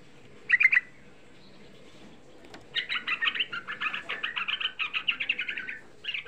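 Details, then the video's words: Young sooty-headed bulbul singing as a lure to make other bulbuls respond: a brief note cluster, silence, then a long, steady chatter of rapid slurred notes. "Suara Pancingan Trucuk Muda Ampuh Menaikkan EMOSI, Suara Trucuk Muda Bikin Semua trucukan EMOSI"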